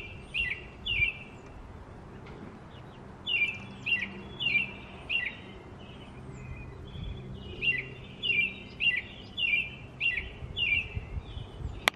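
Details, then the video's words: American robin song: bursts of cheerful whistled caroling phrases, a pair, then a longer string of about eight after a pause, over soft background hiss; a sharp click at the very end. "American Robin Singing"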